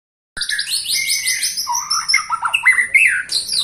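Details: A 21-year-old white-rumped shama singing a rich, rapid medley of high whistles, sliding buzzy notes and quick downward-slurred phrases that grow louder and more varied toward the end.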